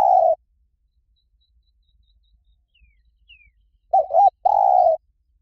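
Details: Spotted dove 'Liw Tan' style song, used to lure and train doves to answer: a lone coo, a long quiet gap with faint high squeaks, then a double coo and a longer steady coo.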